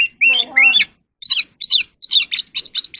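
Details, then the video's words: Oriental magpie-robin singing and dancing in the evening: a run of varied whistled notes, then a burst of rapid slurred phrases, some dropping and some rising, separated by short pauses. "kacer alam | Choè than hót múa buổi chiều tối เสียงนกกางเขนบ้าน"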